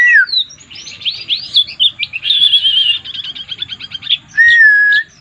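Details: White-eye, kept as a songbird, pouring out a jumbled warbling song of swooping notes, a wavering trill, and rapid repeated chips, ending in a steady whistle, over a faint low hum.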